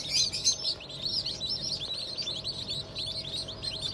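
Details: Freshly hatched Black Australorp, Sussex and pheasant chicks from a 25 May 2023 hatch; loud, high, rapid peeps pour out from many chicks at once, overlapping in a shrill, restless chatter with faint low hum.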